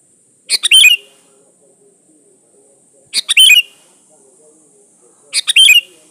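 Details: Kutilang, the sooty-headed bulbul, singing in lively lure style: three bursts of quick bubbly, slightly rattling notes, each under half a second, spaced about two and a half seconds apart over a constant high hiss.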